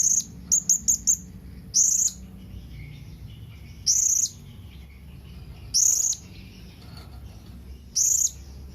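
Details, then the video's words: Blue-crowned hanging parrot calling to its companions: a quick burst of four very high, thin squeaky notes, then single longer shrill buzzy notes repeated roughly every two seconds over a faint background hum. "Suara SERINDIT MEMANGGIL KAWAN"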